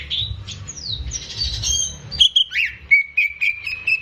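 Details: Caged greater green leafbird in vigorous song, used as a lure for young birds. Scratchy, sliding whistles give way to clear level whistled notes repeated in a short series.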